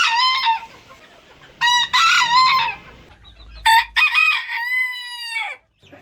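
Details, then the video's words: Rooster crowing from a collection of different crowing styles. Three loud harmonic crows come in turn, each rising then held. The last is drawn out for nearly two seconds and falls away at its end. A faint low murmur sits beneath. "ETKİLEYİCİ HOROZ SESİ BU SESLER HOROZLARI KUDURTUR !! ÇEŞİT ÇEŞİT HOROZ ÖTÜŞÜ"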